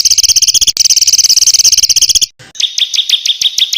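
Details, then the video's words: A harsh, rough song from small birds in a training compilation: a loud, continuous high rattle of fast pulses with a steady whistled band, a sharp cut, then spaced bright chips. "SUARA BURUNG KECIL TEMBAKAN KASAR"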